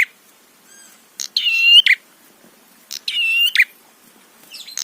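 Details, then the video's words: Prinia provocation song: two clear phrases about 1.7 seconds apart, each a rasping lead-in, a drawn-out, metallic, slightly upslurred tone and a buzzy tail. A faint whistled echo comes early on. "Masteran Suara Trapi Prenjak PANCINGAN EMOSI BIKIN BUNYI"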